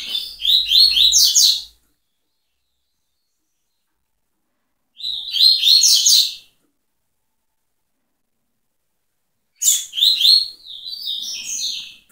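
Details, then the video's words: Coleiro, the double-collared seedeater, giving tui tui style song: three separate bursts of rapid, high, slurred whistled notes, each lasting over a second, spaced by about three seconds of silence. "TUI TUI TOP"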